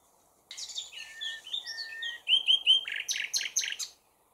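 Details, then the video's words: Rich varied phrases from a common nightingale, with warbled slurs, three bright rising whistles, and a final series of loud pulsed notes, then silence. "Chant du ROSSIGNOL PHILOMELE"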